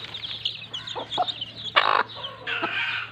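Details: Broody hen with chicks playing in mud: busy high peeping of chicks, two quick clucks, then a louder harsher hen call lasting a quarter second and a longer rasping note near the end, with a low background hum.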